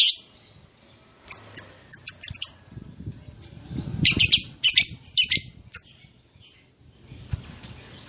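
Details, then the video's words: Lovebird sounds from a lure recording meant to provoke long ngekek in other lovebirds: bursts of sharp high chips and harsh screeches in irregular clusters, with low rustling beneath. "PANCINGAN LOVE BIRD PALING GACOR - Bikin semua jenis love bird langsung emosi nyaut NGEKEK PANJANG"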